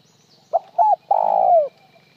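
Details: Spotted dove cooing in a style of calling with or without a trailing note: two short soft notes, then one long burry coo that slides downward at its end, with no tail note after it.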